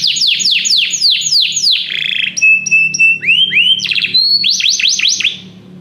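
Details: Many canaries singing after hearing music, with loud repeated downward-swooping notes, a low buzzy roll, a thin steady whistle, upward slurs, then a burst of quick sweeping notes and a fading end.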